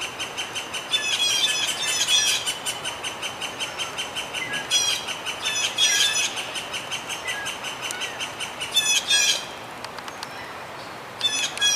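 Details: Blue jays at Dufferin Islands hopping about and calling to one another: rapid series of harsh, ringing notes repeated in bursts, several birds overlapping, over a steady background hiss.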